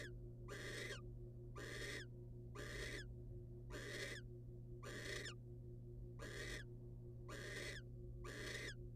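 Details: Series of eight raspy hissing screeches from wild barn owls during a male's rodent delivery to the female, evenly repeated about once per second, steady mechanical hum underneath.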